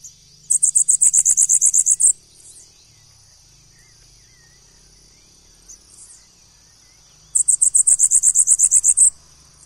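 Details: Bananaquit song heard twice: each phrase a fast, high-pitched stutter of some fifteen clipped notes, spaced several seconds apart with quiet faint calls between.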